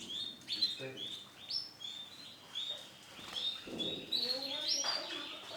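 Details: Male canary with white plumage gives a rapid run of bright, high chirps and whistled slides, bursts spaced unevenly over several seconds.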